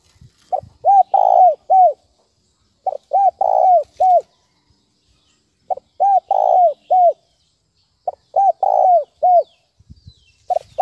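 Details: Spotted dove giving the thúc bổi call, used as a trapping lure: four sets of short, hoarse coos, each set of about four or five falling notes, with pauses of over a second between sets, over a quiet background.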